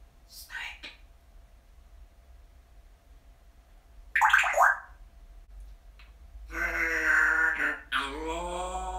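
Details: A happy, talkative pet parrot grumbles and muses: a few soft, breathy syllables, then a longer run of voiced, speech-like chatter with a grumbling, rising-and-falling tone, in a quiet room.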